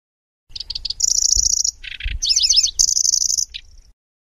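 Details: {'text': 'Lanceolated warbler song in a long nyecret recording, its chatter likened to a grasshopper, with rolls and sharp bursts: short high chips, then a steady high buzzy reel, a lower rasping burst, and wavering zigzag whistles.'}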